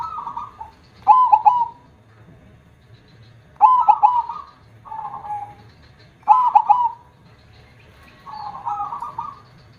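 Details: Zebra dove, a perkutut with a big, loud voice, repeats short cooing phrases: quick stuttered notes then a brief coo, about every two and a half seconds, with softer echoing coos between.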